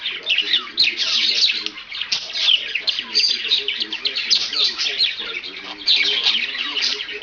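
A budgerigar chatters nonstop in a bright, scratchy warble laced with mimicked talking sounds.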